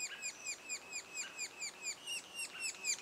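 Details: Sapsucker nest calls two days before fledging: short rasping chirps, a little irregular, roughly two per second, rising in loudness toward the end.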